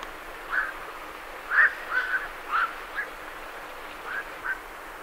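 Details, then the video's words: A busy series of harsh, clipped croaks from night herons leaving their roost, coming roughly every half second with one louder note, while great reed warblers sing faintly behind. "Night Heron Calls"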